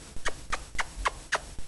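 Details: An excited young female monk parakeet (Quaker parrot) kept as a pet gives harsh, rasping quaks in a quick, steady series.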